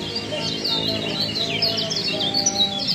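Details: Kecial lombok song used as a masteran (tutor recording for cage birds): dense, fast, high twittering of thin chirps and trills, continuous throughout, over a steady low hum and faint tonal background lines.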